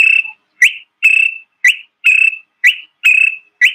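A honeyguide calls a clear, high, whistled "vic-tor": a short rising note, then a longer level one. The pair repeats steadily about four times with no other sounds.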